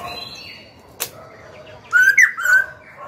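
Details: Black-throated laughingthrush, young caged bird, singing to rouse rival birds and train chicks. A single sharp click, a quiet pause, then a short phrase of bright, level and slurred whistles.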